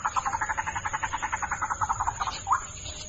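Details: White-breasted waterhen played as a lure: a quick rhythmic series of about twenty croaking pulses, then one louder upswept note. A faint high tone is also audible.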